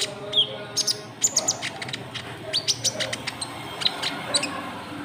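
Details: White-cheeked bulbul lure call aimed at rival birds: quick chirps and short high whistles over a steady background hiss, notes coming every fraction of a second.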